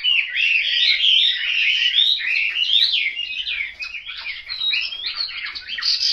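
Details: Caged Chinese hwamei kept at home in Hanoi, Vietnam, singing a loud, continuous run of rich warbled and whistled phrases, sliding up and down, with quick slurred notes packed closely together and no pauses.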